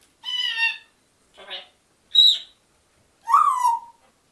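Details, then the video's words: African grey parrot talking to dogs indoors: four separate vocal bursts, harmonic speech-like syllables mixed with a sharp whistle near the middle and a falling nasal call at the end. "african grey parrot talking to my dogs"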